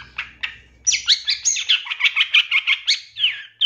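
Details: Captive-bird training song of the long-tailed shrike: two soft chirps, then a rapid chattering series of harsh, sweeping notes, about three per second, ending in a falling whistle.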